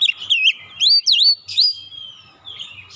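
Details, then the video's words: Oriental magpie-robin song played to stimulate a stressed, untrained bird: a burst of loud, swooping whistles with dipping and rising notes over about a second, then softer drawn-out whistles fading out. "PANCING 30 MENIT TIAP HARI PAGI | SIANG | MALAM KACER BAHAN SETRES CEPAT GACOR"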